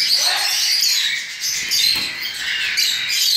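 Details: Cockatiel chicks, recently out of the nest, begging while being hand-fed, fed three times a day at this age: a continuous raspy, hissing chorus of high squeaky calls with no pauses.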